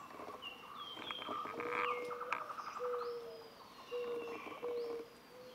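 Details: Blue-headed quail-dove (Starnoenas cyanocephala), a Cuban endemic, calling at Zapata Peninsula, Cuba: low, hollow hooting notes about every second and a half, set against a busy chorus of higher chirps, trills and whistles from other birds.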